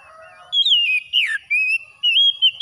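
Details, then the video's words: After-dawn oriental magpie-robin song for calming stressed birds: bright whistled notes, one sweeping downward, then level warbling phrases in four bursts with tiny gaps, over near silence. "TERAPI KACER HABIS SUBUH PEMULIH AMPUH KACER SETRES CEPAT GACOR"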